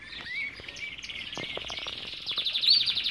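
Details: In an aviary, a Belgian canary sings a brisk trill of rapidly repeated notes, growing louder toward the end with a bright whistled flourish, over scattered chirps from other birds.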